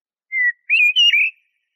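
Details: Short blackbird song fragment: one level whistled note, then a pause and a smooth connected fluty warble of three parts.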